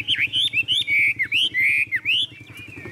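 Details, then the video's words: Hand-carried caged Chinese hwamei in full song, rich looping whistled notes rising and falling, some long sustained slurs, over a steady low pulsing engine-like hum. "Họa mi thuần điện căng đét - Xách tay lắc lồng hót đỉnh"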